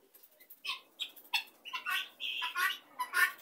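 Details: Helmeted guineafowl gathered together in a flock give harsh, scratchy calls, starting with faint notes and then louder irregular bursts mixed with a few sharper squawks.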